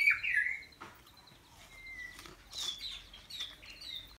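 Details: White-rumped shama singing at an aviary bird farm: clear whistled phrases, some rising and some sliding, with gaps between them and a faint background hiss.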